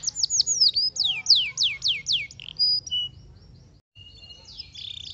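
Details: Canary song of loud downward-sweeping whistles, about seven in quick succession, followed by softer short notes, a brief pause, then a high chattering phrase.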